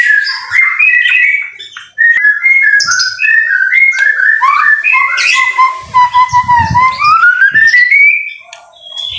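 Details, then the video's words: White-rumped shama singing in the rain for a masteran gacor recording: a string of clear whistled notes stepping up and down, then a long descending whistle that turns into a slow rising slur, ending with a brief high note. "BIRD SOUND IN THE RAIN SUPER SPECTACULER / MASTERAN MURAI BATU GACOR"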